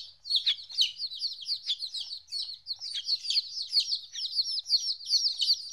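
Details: A group of 14-day-old chicken chicks, apart from their mother for the first time, peep continuously in high, dense chirps; several callers overlap, with occasional louder downward-slurred notes breaking through the busy chorus.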